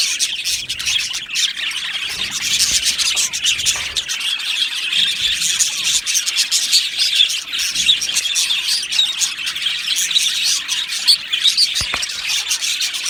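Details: Budgies in an Australian colony aviary singing and chirping: unbroken high-pitched chatter of many birds, fast ticking chirps layered over warbling, with a single sharp click near the end.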